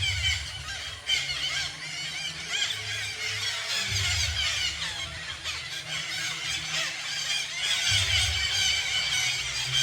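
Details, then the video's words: Flock of parakeets massed in a single tree, Garo Para natural bird sanctuary; nonstop shrill, grating screeches pile up densely with slight rises in intensity, while a deep intermittent rumble runs below. "আমি আপনাদের টিয়া পাখির"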